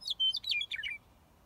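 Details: Western meadowlark on a green harvester in the Rocky Top area of Washington gives one short, loud phrase: a pure whistled note followed by rapid, bubbling warbled notes that drop in pitch, lasting about one second, with a quiet background.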